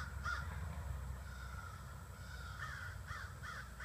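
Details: Crows, about 30 to 40 of them, gathering in trees in front of a house in the evening: harsh caws scattered through the clip, clustered near the end, over a low steady rumble.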